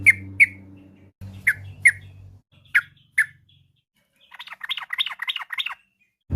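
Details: Yellow-vented bulbul used as an afternoon lure for other birds: paired sharp chirps repeated several times, then a short run of rapid bubbly notes, with a low background hum early on.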